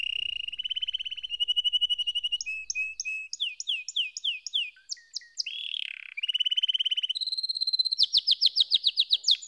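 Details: Canary singing a varied song: a steady rolling trill, then runs of quick down-slurred chirps and buzzy phrases, closing with a fast series of bright rising notes, each repeated several times a second.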